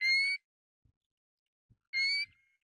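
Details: Pacific golden plover giving two short, clear whistled notes, each rising slightly in pitch, spaced well over a second apart, with near silence between them.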